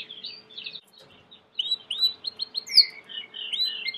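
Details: Belgian canary giving quieter, varied chirps and short whistled slurs over a faint background hiss, after a near-silent opening.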